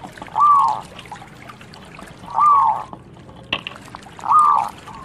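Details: Local zebra dove giving three drawn-out, slightly arching coos about two seconds apart, each softer at its tail, with a sharp click between the second and third.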